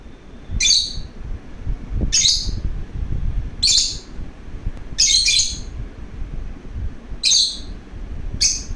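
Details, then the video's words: Pet lovebird that wants to play, giving sharp, shrill, high chirps in short bursts roughly every one to two seconds, some doubled, over low indoor background rumble. "Lovebird Sound"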